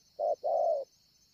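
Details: Wild spotted dove at Ngọc Hồi, Vietnam, on 25 March 2020, giving one two-part coo: a short low note, then a longer, slightly falling one, against a steady high background hum.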